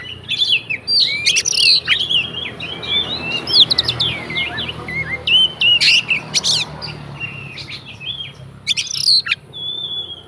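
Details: Oriental magpie-robin fighter song crammed with fill-in phrases, used to provoke rival magpie-robins: rapid varied whistles, rising slurs and sharp chips in near-constant flow over faint background noise.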